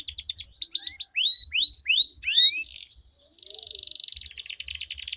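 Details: Canaries duelling in long rolling melodious song as a singing prompt: rapid sweeps, a series of slower loud upslurred whistles, a brief pause, then a fast buzzy roll.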